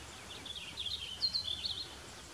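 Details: A Purple Finch singing from a cedar tree in mixed forest near Desbarats, Ontario, about 15 metres away, gives a quick, rich warble of tumbling high notes lasting about a second and a half, over faint background hiss.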